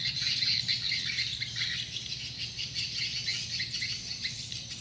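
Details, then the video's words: Swiftlets lure call: fast, crowded high chirps, several every second, overlapping into a shrill twittering chorus, with a low steady hum below. "Suara Panggil Walet"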